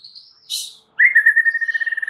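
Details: White-rumped shama singing, meant to set off a silent bird. A thin high whistle slides upward into a short noisy burst, then a steady fast trill of clear pulsed notes follows.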